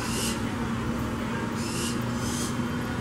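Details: Barn owl in the urban centre of Puerto Gaitán, Meta, Colombia, on 27 March 2017, giving three short, harsh, hissing screeches about a second apart, over a steady low hum.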